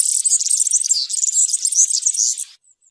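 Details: A European serin delivers field-style (campero) song: a continuous two-and-a-half-second rush of very high, scratchy, jingling notes, ending abruptly with a couple of faint ticks.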